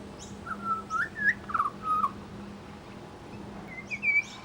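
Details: Pied butcherbird performing mimicry of other birds at a bird sanctuary: a string of mellow whistled notes, several ending in upward flicks, then a short pause and two higher whistles.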